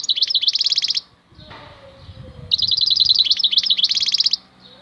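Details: European goldfinch, called maknine khalwi (wild goldfinch) in the Algerian style, singing two loud bursts of rapid, high, tinkling twittered notes, each about a second long and separated by a short pause with faint background rustling.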